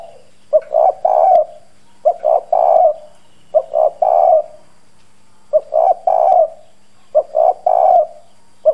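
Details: Spotted dove used as a decoy, hoarse 'giọng đồng' voice, cooing hard ('gù') to stir wild doves to answer. Three-part husky coo phrases repeat about every one and a half seconds over a low constant hum.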